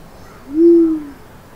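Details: A Sri Lanka wood pigeon, an endemic of Sri Lanka's mountain forests, gives a single deep, soft, owl-like hoo, about half a second long, against a quiet background.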